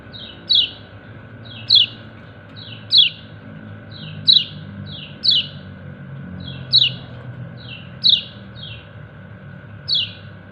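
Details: White-eye, known locally as kecial kuning, calling its companions: sharp, high, downward-slurred 'ciak' chirps, each led by a softer note, repeated about every 1.2 seconds, with a steady low hum behind.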